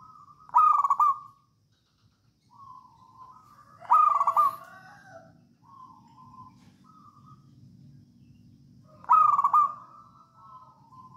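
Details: Local wild zebra dove from Java singing actively in the 'songgo ratu' style, used as a lure to get other doves singing; three loud rough opening notes followed by soft mid-pitched rolling coos, over a low background rumble.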